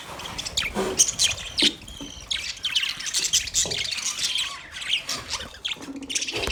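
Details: Continuous warbling chatter from budgerigars in a cage: sharp high chirps, scratchy squawks and brief ticks mixed together at varying loudness.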